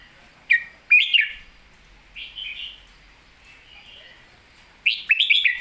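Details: Golden-voiced red-whiskered bulbul performing a master song (phleng mae bot): sharp whistled notes, then softer warbled fragments, ending with a lively burst of rapid, rippling whistles.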